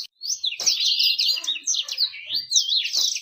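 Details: Bird singing as a lure to prompt fast song and attract females: rich, rapid high warble of overlapping chirps and rolling trills, nearly continuous.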